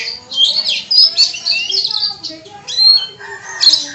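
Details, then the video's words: Oriental magpie-robin song of the kacer type packed with imitations, other birds faintly present. Rapid, bright chatter mixes thin high whistles with lower warbled notes, flowing almost without a break. "Suara Burung KACER bongkar ISIAN"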